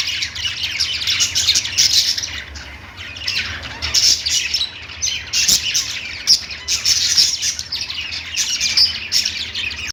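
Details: Group of lovebirds chattering, with high piercing chirps, scratchy squawks and a few sharp clicks in irregular bursts throughout.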